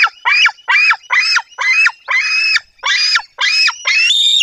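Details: White-tailed eagle calling at a nest site in Poland's Bory Tucholskie forest in 2024 while a female chases off an intruding eagle. Eight loud, strident yelps come in an even rhythm, each slightly rising then dropping.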